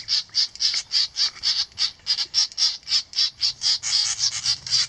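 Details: Great reed warblers defending their nest by mobbing a 3D printed cuckoo decoy in an experiment: harsh, rasping notes repeated about four times a second in an even, steady series, with faint low background rumble.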